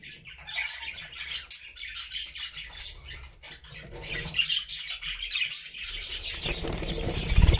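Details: Flock of pet budgerigars singing cheerfully in a new homemade cage, continuous twittering and scratchy warbles from several birds, growing louder toward the end with a low rumbling noise at the close.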